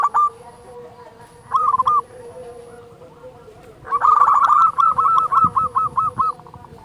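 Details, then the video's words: Local zebra dove lure song for making other doves sing: a short coo burst, a pause with a low steady drone, then a long series of rhythmic, evenly pulsed cooing notes ending in separate clipped beats. "Perkutut lokal gacor SUARA BESAR pancingan burung perkutut agar bunyi"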